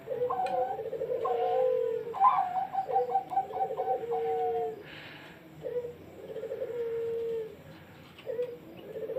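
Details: Zebra dove, called perkutut locally, singing phrases of low cooing notes broken by quick stuttering trills and ending in a drawn-out coo, repeated about five times over nine seconds with slight background hiss.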